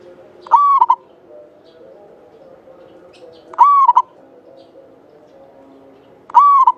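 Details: Local Javanese zebra dove singing actively, used as a lure bird, with a long clear voice. Three phrases come roughly every three seconds, each a long steady coo followed by two short notes, with a few faint high chirps in the background.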